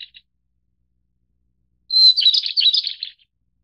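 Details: White-browed Shortwing of the Taiwan-endemic subspecies Brachypteryx montana goodfellowi, from Taiwan's mid-to-high mountains, gives a single high, thin whistle that tumbles into a rapid, jumbled warble lasting about a second, preceded by two faint chips.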